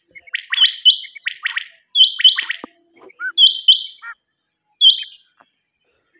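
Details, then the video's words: Common quail on a hunting cassette recording: loud clipped triple notes mixed with very high sharp chirps, in bursts about every 1.4 seconds with short silences between, and a faint steady whine. "نیوبٹیر کی کیسٹ"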